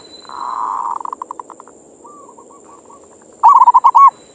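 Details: Zebra dove manggung song for morning therapy of local doves: a soft purring trill breaking into spaced notes, a quiet rolling coo, then a loud quick burst of bubbling notes; constant high-pitched hum throughout.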